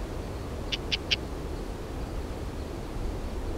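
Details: Lesser grey shrike, while hunting, giving three short, sharp calls in quick succession, about a fifth of a second apart, over a steady low rumble of wind.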